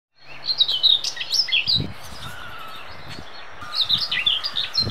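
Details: Common whitethroat in summer thickets and bushes in Denmark: two short, scratchy, fast warbling phrases, high and jerky, with low thumping noises and a steady lower whistled tone in the background.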